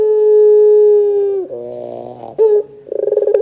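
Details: Barbary dove pelung song used as a lure for doves; a long steady hum fades into a low throaty roll, a short sharp note, then a fresh stuttering pulsed start.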